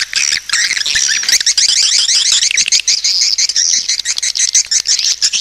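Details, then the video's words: Swiftlet lure call: a dense, rapid stream of high, buzzy twittering chirps overlapping continuously, with sharp clicks scattered throughout. "SUARA PANGGIL BURUNG WALET"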